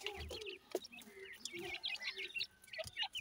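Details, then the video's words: Francolin (teetar) chicks while feeding: a dense scatter of short, high, thin peeps in overlapping bursts, with soft lower clucks and occasional tapping or knocking sounds. "calling bird teetar chicks,irani francolin chicks feed"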